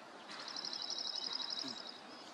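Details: A vagrant North American Dark-eyed Junco sings in a small coastal garden at Rattray Head, Aberdeenshire, on the morning of 10 May 2023: a fast, even trill on one high pitch, about 1.5 seconds, over soft outdoor noise.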